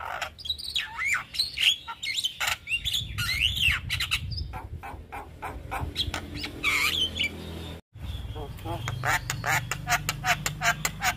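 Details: Javan myna singing, recorded as master audio to stimulate young mynas: a long, varied stream of rasping squawks, looping whistled slurs and clicking bursts, broken by a brief silence before fast rattling notes resume.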